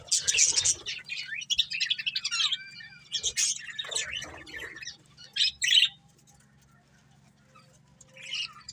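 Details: A breeding pair of budgies chattering: dense scratchy warbling for several seconds, a few clear whistled tones, then a couple of sharp chirps and a near-silent stretch before a final note.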